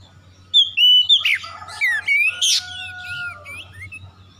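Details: Oriental magpie-robin lure song for prompting silent magpie-robins to sing: a loud, rich stream of whistles, upslurs and buzzy bursts in quick succession, fading into softer high notes over a faint hum.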